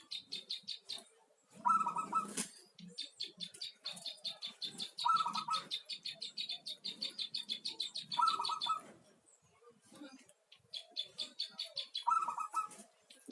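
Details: Local zebra dove song: brief trilled coo phrases repeated roughly every three to four seconds, set against continuous rapid, high-pitched pulsed chirping from other birds.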